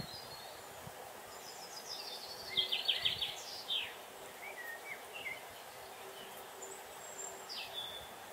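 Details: Great spotted woodpeckers at their nest hole, a mother with a watching young bird: a quick run of sharp, high ticking notes, then scattered thin chirps and squeaks over a steady outdoor hiss.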